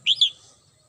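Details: Red-whiskered bulbul singing in the morning at home: one brief, bright two-part phrase, a whistled rise followed by a slurred second syllable, with a faint low rumble underneath.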